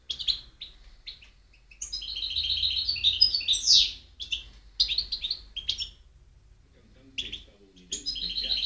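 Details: Goldfinch song from 2010: bursts of quick, high, tinkling twitters and buzzy trills alternate with short gaps and isolated chirps, recorded against a faint low rumble.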